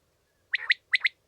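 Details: Common quail (Coturnix coturnix) calling, offered as a hunting lure sound: two quick bursts of sharp, liquid chirps, each a rapid pair of high notes less than half a second apart, against a quiet background.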